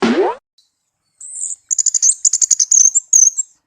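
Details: Tame orange-headed thrush singing: after a brief low sound, a high thin whistled note is followed by rapid bursts of short, sharp repeated notes and trills.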